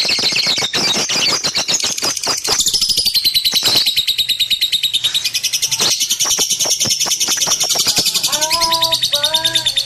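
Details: Lovebird kept as a pet, chattering loudly: a dense stream of harsh, rapid high clicks and chirps repeated several times a second, with a few short whistled notes near the end.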